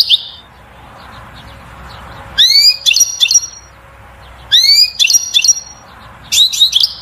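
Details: European goldfinch singing to stimulate the female to mate and build a nest: short bright phrases of rising sweeps and buzzy twittered notes, three bursts about two seconds apart over quiet background.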